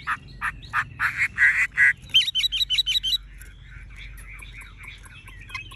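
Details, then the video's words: Caged tame Chinese hwamei with golden-yellow plumage: a series of harsh rasping notes, then a quick string of six bright whistled notes, fading into soft twittering. "Họa mi thuần đét chân mỏ lông lá vàng ươm - Hót như máy"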